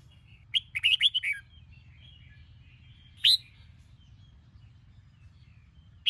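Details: Red-whiskered bulbul, Sông Kôn voice, from a morning song training recording. One quick warbled phrase of five or six whistled notes is followed by two single sharp chirps spaced far apart in near silence.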